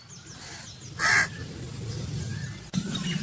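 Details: A single harsh, raspy crow caw stands out over a steady low hum of background noise, with faint high chirps from other birds before and after.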